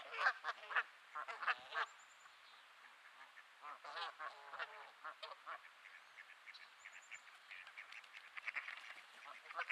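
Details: Grumpy geese at Sainte-Adèle, Quebec, on an overcast May afternoon; a dense run of rough nasal honks opens the recording, then a scatter of sharper clucks and squawks, with faint high bird chirps in the background.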